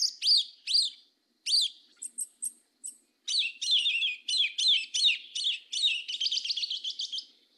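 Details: Yellow-legged Thrush, southern 'mateiro' song type: separate sharp rising whistles, then a quickening series of high squeaky notes ending in a fast, almost trilled twitter.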